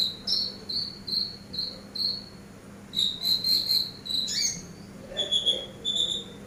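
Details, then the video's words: Eurasian tree sparrow recording used as a master bird for training: short, pure, high chirps repeated about every half second, then a denser burst of overlapping chirps and a few lower, steadier notes over a faint low hum. "MASTER BURUNG GEREJA"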